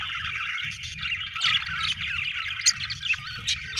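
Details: A rapid budgerigar chatter of grating warbles and quick high chirps, irregularly spaced, over a faint low hum.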